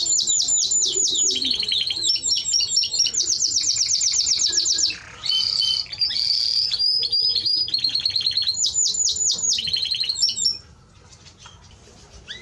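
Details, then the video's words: Extended Timbrado Español canary song of fast metallic trills, buzzy sustained passages and repeated sweeping notes with short breaks, ending in near silence after about ten seconds. "Timbrado Español Canario song - Canario Cantado"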